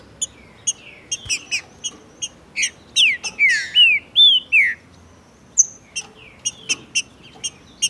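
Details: Green-winged saltator male, Brazil, singing vigorously beside a female during breeding season. Scattered sharp chips lead into a burst of five loud arched whistled notes, followed again by quick ticking clicks.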